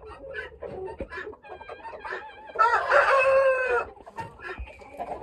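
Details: Crowing Ayam Ketawa cockerel, a breed from Sidenreng Rappang, South Sulawesi, Indonesia, prized for long, clear crows resembling laughter. Scattered clucks and short calls lead into a loud, rich crow held over a second, then softer notes.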